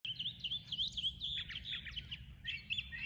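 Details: Birds singing in the morning: rapid, high chirping notes in quick overlapping bursts, a lively jumble of short tweets over a faint low rumble.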